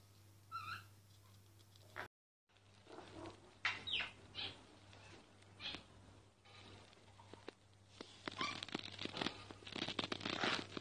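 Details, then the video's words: Myna singing, recorded quietly so the bird would not notice and stop: a few short whistled notes, a brief dropout, then a run of harsh broadband clicks and rasping notes over a steady low hum. "Mynah singing"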